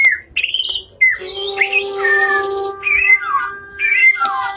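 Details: White-rumped shama singing prolifically: short clear whistled phrases, some rising and some falling, given in quick bursts with brief pauses between them. Steady low tones run underneath.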